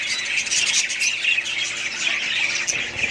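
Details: Short burst of dense budgerigar chatter, bright chirps and warbled squeaks from several birds at once.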